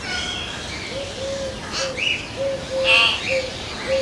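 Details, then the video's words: Common hill myna, a mountain bird found in India, giving a series of short, level, low whistles about twice a second, broken by a few louder, higher, clear ringing notes, over steady background hiss. "Amazing Hill Myna Birds Beautiful Sounds"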